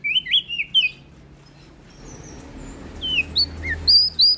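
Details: Song of a prinia from West Nusa Tenggara, Indonesia: a handful of bright, descending whistled notes, a quiet gap of about a second, then a resumed string of high slurred whistles building again.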